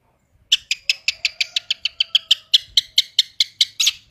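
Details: Long-tailed shrike singing fast 'roll tembak' material: after half a second of silence, a steady string of some eighteen sharp, high notes spaced evenly, with a faint low tone beneath.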